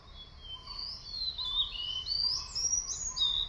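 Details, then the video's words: White-bellied sholakili singing in Kodaikanal, a thin, high, squeaky warble of sliding whistled notes over a soft background hum. "A beautiful song of White Bellied Sholakili"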